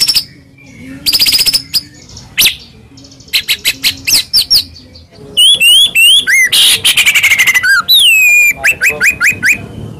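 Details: White-rumped shama song used as a lure for a quiet shama: scattered buzzy bursts, then quick high whistled sweeps, a harsh rattle, and a series of repeated upslurred whistles.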